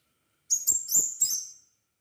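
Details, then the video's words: Lively crimson sunbird song meant as a lure to get other sunbirds singing, with four rapid clusters of piercing high chirps and slurred whistles packed into just over a second, nothing else audible. "Burung kolibri sepah raja gacor - pancingan sepah raja agar bunyi"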